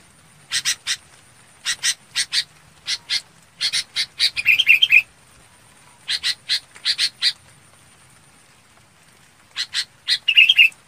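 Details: Red-whiskered bulbul calling its flock: series of scratchy paired chatter notes in bursts, each run closed by a quick liquid warbling flourish, in quiet surroundings.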